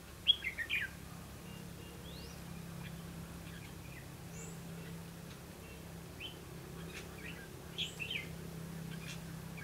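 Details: Red-whiskered bulbul recorded during trapping on 2 October 2016. One loud, quick warbling phrase opens the recording, then scattered faint chirps and thin whistles follow over a low droning hum.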